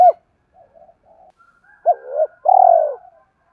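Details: Spotted dove calling to spur other doves into cooing: a single short hoot, faint murmurs, then a sharp coo followed by a long, throaty, tremulous note that slowly drops in pitch.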